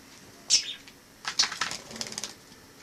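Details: Wild sparrow living inside a home after arriving through a balcony in autumn; a few sharp high chirps followed by a rapid run of soft clicking, fluttering sounds in a quiet room.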